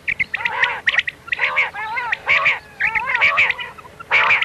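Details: Common quail 'miankan' night call used as a hunting lure: arched, mewing harmonic notes alternate with brighter sharp notes, in bursts roughly once a second, over a constant faint hum.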